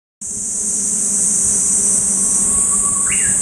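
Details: Japanese bush warbler singing one song that starts with a long, steady, low whistle and ends in a quick, rising, twisting flourish. A loud, constant, high insect drone runs throughout.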